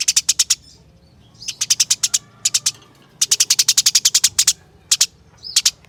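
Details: A caged house sparrow kept for singing contests delivers repeated volleys of shrill, clipped chirps, some runs long and rolling, others short, with brief gaps and a few thin upslurred notes between.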